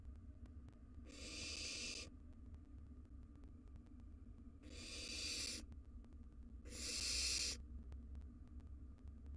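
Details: Wild barn owl chicks in a nest box fight over a mouse, giving three long rasping hiss-screeches, the last the loudest, with a steady low hum underneath.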